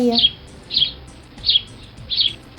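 A sparrow gives four bright, high chirps, evenly spaced about two-thirds of a second apart. A voice trails off just before the first.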